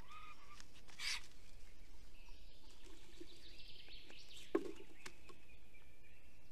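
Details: A male black stork singing at his nest at 8:02 am on 10 April 2020 in Estonia, holding a branch in his beak after seeing someone above the nest: a brief rasping burst, then a long wheezy, wavering hissing whistle over wind rumble.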